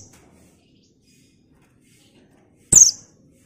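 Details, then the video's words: A female white-eye (pleci buxtoni), whose call is used to lure and stimulate other white-eyes, gives one sharp, high, slightly buzzy chirp after nearly three seconds of quiet, faint hiss behind; white-eye. "pleci buxtoni betina paling dicari buat pancingan pleci bahan"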